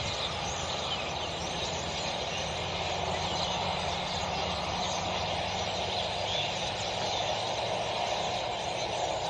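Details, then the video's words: A large flock of common starlings at Cembranos in November keeps up a dense, unbroken chatter of squeaks, clicks and rasping whistles over a steady low background rumble. "ESTORNINOS PINTOS"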